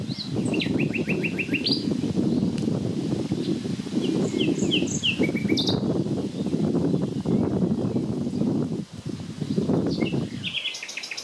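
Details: Common nightingale singing on 30 April 2020 where three birds were heard; high phrases of quick repeated ticking notes and rising whistles, separated by pauses, over loud low rumbling background noise.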